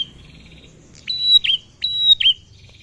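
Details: Calling male bar-winged prinia, a lure meant to set other prinias and ciblek birds singing, gives two quick phrases: a bright level whistle snapping into a dropping chip, with faint low rumble behind.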